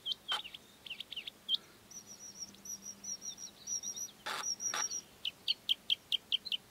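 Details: Bluethroat song of clear, sharp whistled notes and short trills, interrupted by a few loud clicks and thin high buzzes, ending with a steady series of bright single notes about four per second.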